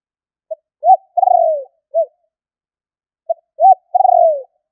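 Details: Spotted dove giving a gọi thúc lure call used to draw in wild doves: two phrases, each a short note, an arched coo, a long purring coo sliding downward, then a brief closing note, on a silent background.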